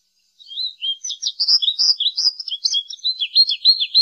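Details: Rapid, canary-like American goldfinch song, an unbroken flow of high chirps, slurs and warbles lasting nearly four seconds in a clean recording.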